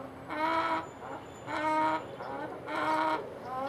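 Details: A hen producing a puzzling, unexplained noise: three drawn-out, tonal, nasal calls with rich harmonics, each about half a second long and spaced just over a second apart, over a constant low background hum.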